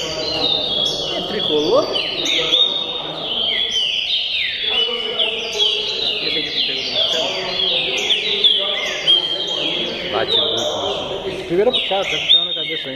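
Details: Loud, clear whistled phrases from a tricolor green-winged saltator repeat throughout, overlapping with busy chirping from other birds and faint voices in the background.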